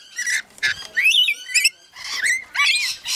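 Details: Rainbow lorikeets feeding give shrill, rasping screeches and squeaky chatter in quick bursts, about six harsh calls in three seconds, with no other sounds.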